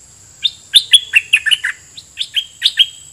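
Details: Caged red-whiskered bulbul used as a decoy, singing at wild birds. Loud, warbling phrases of slurred chirps, some rising and some falling, grouped in short bursts with brief gaps. A faint, constant high whine runs behind.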